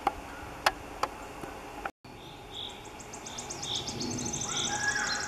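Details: Eurasian nuthatch recorded in Minsk on May 1, 2021: after a short gap, clear whistled notes repeat irregularly, then a fast high trill runs to the end, over steady background hum and a few sharp clicks at the start.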